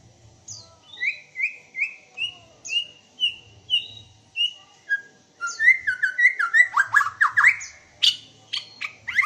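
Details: White-rumped shama (Copsychus malabaricus), a black-tailed bird from Aceh, sings clear, rich whistled phrases that build into a fast, varied burst of notes.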